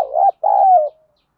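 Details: Spotted dove gáy gọi calling coo, played to excite captive doves for training: a short rising hoot, brief pause, then a long, smooth, slowly falling low coo trailing off.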